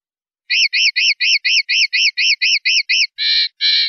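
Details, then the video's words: Linnet song in the clean 'limpio' style, recorded on a 2019/2020 CD: eleven quick arched chirps in a steady run, ending with two broad, buzzy notes. "CD PARDILLO LIMPIO 2019/2020"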